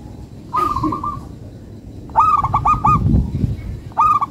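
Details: Local zebra dove cooing in bursts: a short rolled, trilled note near one pitch, then after a pause two longer phrases of stuttering, bouncing coos with a low background hum.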